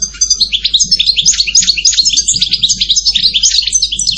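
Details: Steady, rapid goldfinch twittering throughout, a lively stream of high tinkling chirps and liquid notes in quick succession, with a faint low background hum.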